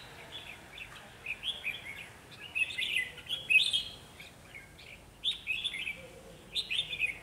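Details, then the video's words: Red-whiskered bulbul singing as a decoy during trapping: slightly distant, warbling whistled phrases in several bursts, over a steady background hiss. "Bẫy chào mào Mồi chơi quá sung bổi còn né"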